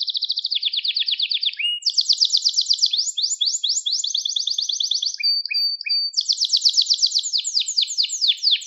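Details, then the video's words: Unbroken canary song, the kızıştırma style used for training birds: dense high trills that step down and back up in pitch, broken once by short whistled notes before another bright, rapid roll. "Kuşunuzun Eğitimi İçin Orjinal Kanarya Sesi 2021 Kanarya Kızıştırma Kanarya Ötüşü"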